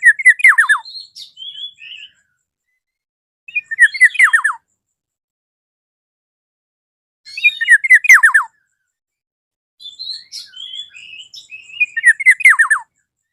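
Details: Calling toward a rival, a Black-naped oriole repeats four bursts of fast descending notes with fluty higher whistles, roughly every three to four seconds, with clean silence between phrases.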